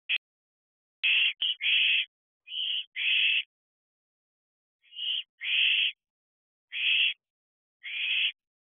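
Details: Owlets in a nest box at 3:05 am on July 4, 2023, during a heat wave, allopreening affectionately; harsh, breathy hissing screeches in bursts of under a second, separated by short silences.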